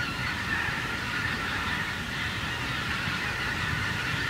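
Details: Wild geese passing above a harvested cornfield: a thick wash of overlapping honks from a large flock, steady in loudness, over a persistent low rumbling noise.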